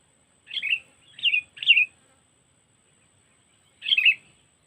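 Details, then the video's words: Cengkeram-style kutilang lure used to trap sooty-headed bulbuls, Lampung: three short, scratchy, slurred chirps about half a second apart, a long pause, then one more matching chirp. "Pikat Burung Kutilang Cengkeram"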